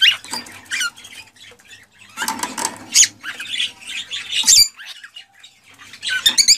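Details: Cockatiel sounds meant to encourage breeding: a busy mix of harsh squawks and high chirps, with some flapping and room noise in the background.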